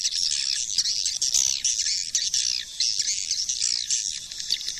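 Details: Swiftlet calling sound used to lure the birds: dense, continuous high buzzy twittering with fast clicking chatter and small surges in loudness.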